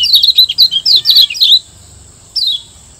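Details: Lombok white-eye training song: a rapid string of bright, descending twittered notes for about a second and a half, then a lone falling chirp after a short pause, with a faint constant high tone.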